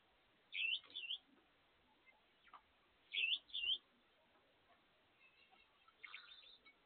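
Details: Captive Gouldian finches feeding and singing: pairs of short, bright, looping chirps, the pair repeated about every two and a half seconds, with a brief burst of rapid chatter near the end and faint background noise.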